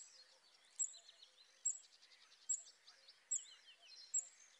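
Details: Western yellow wagtails at Lake Drużno give thin, sharp high notes about every second over a busy chorus of other chattering birds.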